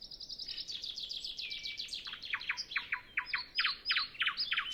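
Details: Early-morning nightingale, recorded before sunrise with no wind and no other birds singing: a long fast series of sharp repeated notes, speeding and strengthening into loud emphatic chips near the end.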